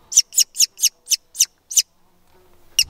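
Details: American Kestrel nestlings from a nest-box program in Sax-Zim Bog, Minnesota, call on June 29, 2021 while being banded. Seven harsh, screechy notes come quickly, about five per second, then a pause and one more.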